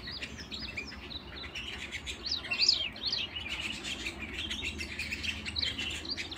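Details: Softer canary singing, a steady stream of high chirps and twittering trills with one louder whistled flourish partway through, over a faint low hum.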